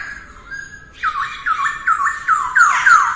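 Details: Early-morning voice training of a masked laughingthrush: after a soft hum, a quick run of rising, slurred whistles repeats about three times a second, growing louder and rougher toward the end.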